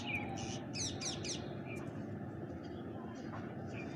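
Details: Feeding bank myna among pigeons gives three or four rasping, grating notes close together near the one-second mark, followed by faint thin squeaks against a constant low hum.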